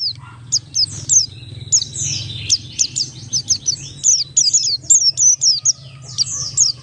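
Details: Oriental white-eye song played as a lure to make other white-eyes sing quickly, in the Buxtoni ngalas style: a fast string of very high, thin, sharply down-slurred whistled notes, many short phrases packed closely together, with a low hum underneath.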